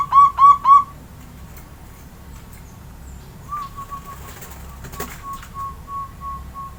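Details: Local Javanese zebra dove kept in a cage and set out for morning sunning after its bath. Three loud, clipped coos open the recording, followed after a pause by a softer run of short, evenly spaced cooing notes.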